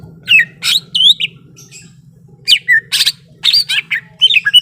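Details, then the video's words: Greater green leafbird, ready to fight, giving rich mixed phrases of bright whistles, sharp buzzy notes and rapid chatter in two bursts separated by a pause, with a low hum throughout. "SUARA BURUNG CUCAK IJO SIAP TARUNG"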